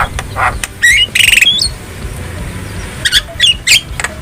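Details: Javan myna in the wild, used to train caged birds to sing: short raspy squawks and buzzy trilled notes separated by brief pauses, over faint background hiss.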